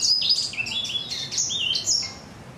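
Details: Young black-throated canary, four months old, with a coarse, crunchy singing voice; short burst of high chirped and trilled phrases, several notes stepping down in pitch, the song fading toward the end.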